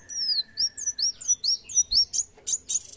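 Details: Sunbird singing, described as a lively 'gacor' singer: a run of high, thin, down-slurred whistled notes about three per second over a steady faint tone, ending in harsher buzzy bursts.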